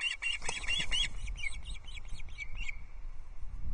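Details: Ospreys on the Loch Arkaig nest, 17 July 2022, chirping as a third fish, a whole brown trout, is delivered: rapid series of sharp, high chirps for nearly three seconds, then quiet with low rustling.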